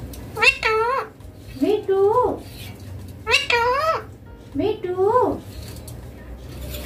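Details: Pet green rose-ringed parakeet talking in Hindi with its owner, indoors: short, harmonic, two-part voiced phrases that rise and then fall, given in two pairs about a second and a half apart, over faint room noise.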